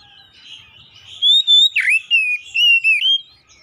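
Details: Oriental magpie-robin singing, played to make other magpie-robins sing: a smooth run of loud sustained whistles, one sharp downward swoop, then level and gently wavering whistled notes with soft warbling before.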